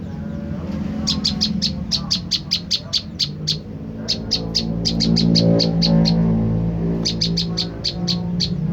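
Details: Olive-backed tailorbird calling, played as a lure to provoke a reply. Repeated runs of bright, high ticks about four a second, against a noticeable low droning hum that swells in the middle.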